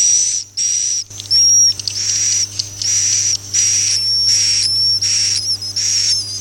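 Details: Swiftlet, Akau ngaji call style: a series of hissing, buzzy high-pitched bursts, each carrying a faint whistled tone, about one and a half per second, with a constant low hum beneath.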